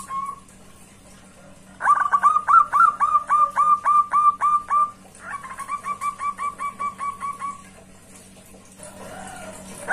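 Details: A zebra dove calls a rival loudly with two long runs of rapid coo notes, the first sharper and about fifteen notes long, the second softer and steadier, ending in quiet hum with a faint noise at the end.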